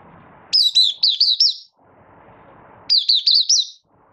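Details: Malaysian white-eye, a moulting bird just opening into song and still building form, dated 24 August 2023: two high phrases of five or six rapid, down-slurred whistled notes, each lasting about a second, with quiet between.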